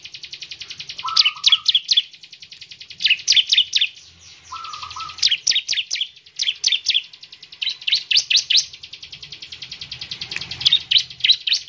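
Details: Bar-winged prinia in partial full song, meant to prompt others to sing quickly. Bursts of three to six sharp, high chips repeat over a continuous buzzy drone, with two short low trills.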